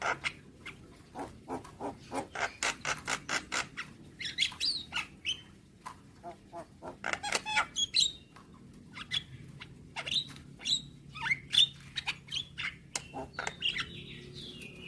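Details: Training song of the Javan myna for young birds, meant for daily morning playback: a run of rapid clicking, ticking notes, then scattered high whistles and thin rising calls over a faint low hum.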